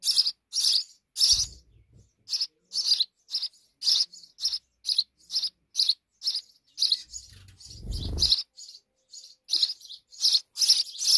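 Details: Busy chirping from sparrows at a nest hidden in a wall, a steady stream of sharp notes with occasional low knocking and rustling sounds.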